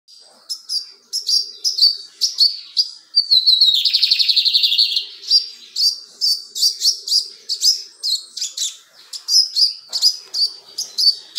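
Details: Lined seedeater, an adult male in full plumage (encapado), singing and calling: sharp high chirps in quick series, broken by a dense buzzy trill near the middle, then more clipped chirps to the end.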